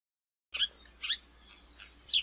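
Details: House Sparrow, a common feeder bird in Kansas, giving a few short, bright chirps spaced about half a second apart, high-pitched and slightly harsh, with quiet pauses between.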